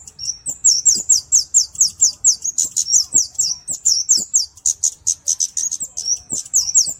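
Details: Kemade in cabe-cabean style song, recorded clearly for use as master and lure: a continuous stream of very high, thin, slurred notes repeated quickly for seven seconds, each a sharp descending flick, with almost no pauses.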